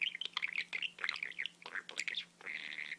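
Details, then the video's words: Budgerigar kept as a pet, talking: quick chattering string of squeaky mimicked syllables with a few clicks, ending in a held, buzzy, wavering note during the last half second; faint background hum. "Blu the budgie talks."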